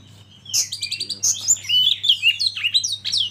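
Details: Oriental magpie-robin (kacer) from a masteran training recording, pouring out a dense, fast jumble of high chirps, trills and short whistles with little pause, over a steady low hum.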